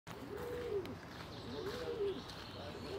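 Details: Feral pigeon (Columba livia domestica) at Ljubljana Castle, Slovenia, 4 June 2023, giving low, soft rising-and-falling coos, two clear phrases about a second and a half apart, over a hiss of background noise.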